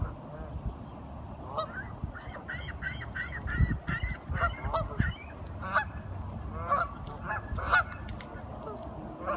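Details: Several curious ducks. One gives a quick run of evenly spaced, squeaky honks, followed by rougher overlapping calls and low bumping noises.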